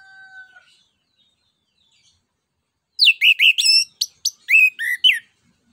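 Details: Faint drawn-out whistles, then after a silence the orange-headed thrush bursts into a fast run of sharp downslurred and looping notes. Ngeplong nembak song, meant to spur other birds into singing.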